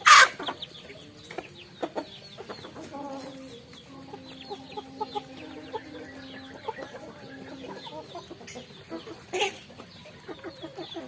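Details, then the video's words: Chickens eating rice at a farm: a loud squawk opens, then quiet clucks and a few level drawn-out calls amid sparse pecking clicks. "Sound of chickens eating rice"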